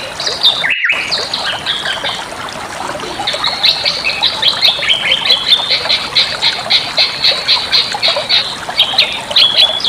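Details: Bali myna song for tutoring other birds: scattered whistles and a brief dropout, then a long run of rapid, rhythmic buzzy notes with occasional whistled slurs mixed in.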